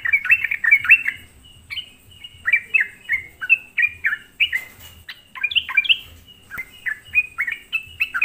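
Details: Sooty-headed bulbul in full, lively song, played to stir up other bulbuls; opening cluster of rich chirps, then evenly spaced short warbled notes that dip and lift, about two per second.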